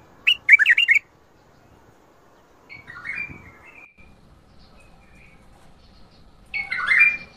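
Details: Bulbul song in the Mandali and Badra styles. Opens with a fast bubbling run of loud whistled notes, then a softer warbled phrase in the middle, and ends with a strong, slurred whistled flourish.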